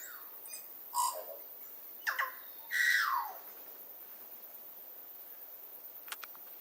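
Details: Tui in New Zealand: scattered song notes, including a low note with a short twitter, sharp clicks, and a loud descending slurred phrase, followed by near silence and a faint tick at the end.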